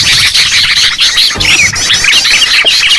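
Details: Sooty-headed bulbuls in a noisy lure recording chatter together, a dense, continuous tangle of bright, bubbly chirps and short whistled notes overlapping without pause.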